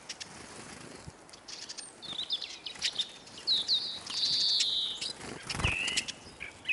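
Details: Hungry Eurasian siskins crowding a bird feeder in Kolmården, Sweden, filmed from below on the ground: high twitters and a long buzzy wheeze, interrupted by sharp clicks and wing or seed patter.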